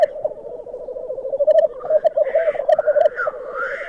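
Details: Black grouse lek at Glen Tanar, captured from a photography hide: dense, throbbing bubbling song grows louder and more pulsed, joined toward the end by several wheezy, rising hissed notes.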